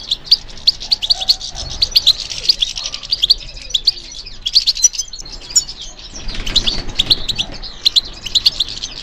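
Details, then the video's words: European goldfinch singing: fast high chirping phrases and rattling twitters in rapid runs, with a soft wing-flutter-like rustle midway and short quiet gaps. "How to encourage the goldfinch to respond to stimulation"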